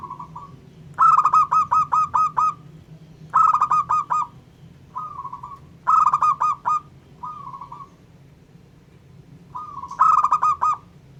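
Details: ['Local zebra dove giving a song meant to stir up other doves: four phrases of rapid, evenly spaced mellow coos, each separated by single drawn-out notes, above a constant low hum.']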